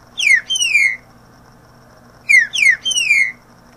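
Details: Song of a green-winged saltator used to teach young birds: a phrase of three clear downslurred whistles, the last longest, repeated after a two-second pause, with a faint hum in the background.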